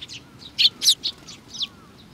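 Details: Sparrows with a little one, 27 June 2019: close, loud chattering chirps in a quick burst of several notes, with a faint thin tone running underneath.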